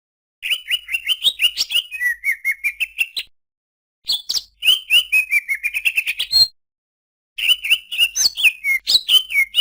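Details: Greater green leafbird song in phrases of rapid, varied whistled and chirping notes, slurred and rising or falling, broken by short pauses; no other sounds.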